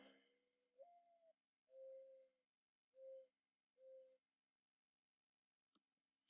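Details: A backyard Mourning Dove sings a soft, sad, owl-like cooing: a long rising coo, then three steady, lower coos about a second apart, followed by a faint click.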